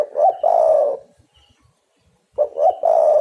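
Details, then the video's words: Two loud spotted dove phrases used as a trapping lure, each a pair of short notes rushing into a sustained rolling coo, split by over a second of near silence. "derkuku super gacor pikat dapat burung bagus"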